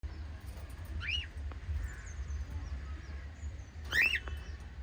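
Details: White lovebirds, a parrot family, giving two short rising chirps, about three seconds apart, over a steady low hum.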